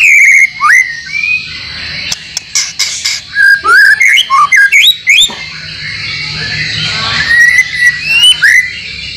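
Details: White-rumped shama song from a training track for caged songbirds, with borrowed phrases from other birds. A clear whistle opens, then bursts of sharp, varied notes and rising slurs, ending in softer rippling chirps over faint hiss.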